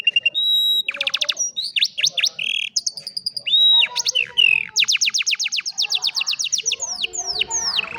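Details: Old canary singing in the afternoon: a fast, varied song of rapid repeated chirp trills, buzzy rattles and sweeping whistled notes, with changes in tempo and pitch between phrases.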